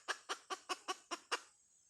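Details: Hen uttering seven quick, harsh clucks evenly spaced about a fifth of a second apart, each a short, rough burst, then the sound stops.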